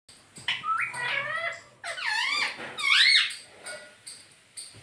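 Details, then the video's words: Indoor pet rose-ringed parakeet mimicking speech ("Mummy Papa", "Mitthu"): three nasal, squeaky phrases, each sliding up and down, the last loudest and highest, with quiet room noise. "Mummy Papa Bolunga || Talking Parrot || Mitthu Mitthu"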